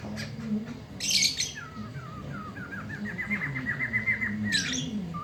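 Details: Black-throated laughingthrush singing at midday, its loud voice used to tutor young birds. A scratchy burst leads into a steady series of clear upslurred whistles, repeated quickly, ending in another harsh rasp over a low hum.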